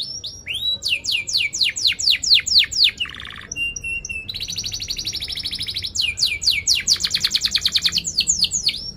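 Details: Canary singing vigorously with sharp 'cuit cuit' chirps and rolls, used to lure and tutor young canaries: rapid runs of steeply falling high whistles, a lower buzzy rattle, then fast even trills and more sweeping notes.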